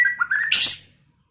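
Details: White-rumped shama in early-season song: a few rising whistled notes, then one loud harsh, buzzy burst that fades away.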